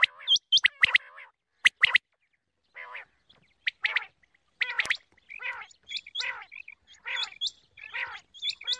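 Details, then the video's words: Quail making morning calls: loud clipped bursts, then a run of short, rising, whistled notes with buzzy harmonic phrases, repeated rapidly after a brief pause. "batair ki log wali awaz| بٹیر کی صبح لگ والی بہترین آواز"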